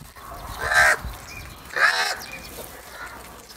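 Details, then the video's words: Crows fighting and eating food. Two harsh, hoarse caws about a second apart, each a short raspy burst, with a quiet background between them. "Crow Fight video | Crow sounds and Eating Foods"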